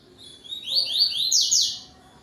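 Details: Double-collared seedeater phrase in the tuí-tuí style, recorded at dusk in November: a rising run of buzzy, sharply slurred high notes that quickens into two loud downward-sweeping notes, then ends, over a quiet background.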